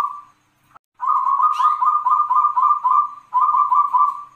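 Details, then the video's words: Zebra dove (local wild perkutut) giving its long-kung noklak song, 'klauw ke tek kung kung kung': a short opening coo, a pause, then a long, steady run of rhythmic, throaty rolling coos and a final phrase. "SUARA PERKUTUT LOKAL NOKLAK KUNG PANJANG (klauw ke Tek kung kung kung )"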